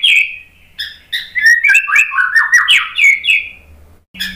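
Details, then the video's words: White-rumped shama (murai batu) lure song for birds reluctant to sing and stressed after moulting: a rich run of loud, varied whistled and slurred phrases, rising and falling, with a few sharp high chips, ending abruptly. "MURAI BATU malas BUNYI, STRES PASCA MABUNG jadi ikut NYAUT ¦ PANCINGAN MURAI ¦ SHAMA BIRD"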